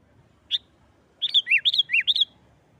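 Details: Aggressive fighting-style sooty-headed bulbul song, used to provoke other bulbuls: a lone sharp note, then a short run of about six alternating higher and lower chirps.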